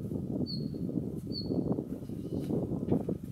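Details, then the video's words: Calls of a male Siberian bluechat, filmed 10 December 2019: two short high whistled notes about a second apart, partly masked by continuous loud low-pitched rumble. "ルリビタキ(Siberian Bluechat)♂の地鳴き"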